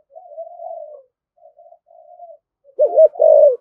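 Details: Spotted dove cooing in the 'thổ thúc gù' style, described as very spirited: soft, low, drawn-out hummed coos give way to a loud, wavering double coo at the end, with no other sounds.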